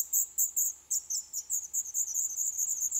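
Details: Black redstart nestlings, day 11, begging in a nest in an old stove pipe of a building awaiting demolition in Poland: loud, shrill, high squeaky notes tumbling over each other in a rapid, overlapping stream.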